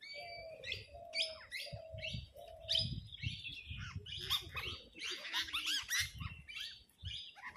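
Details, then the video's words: Flock of parrots chattering among themselves and squabbling over food: dense, overlapping harsh chirps and squawks in uneven bursts, with a run of four steady lower-pitched drawn-out notes near the start. "flock of parrot talking among themselves and arruging over food."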